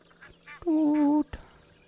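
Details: On 12 November 2022, as a dry period turns wet, a grey-headed bush-shrike, the 'ghost bird' whose call is likened to a door slowly closing, gives one drawn-out, low, hollow whistle of steady pitch, about half a second long, amid faint voices and rustling.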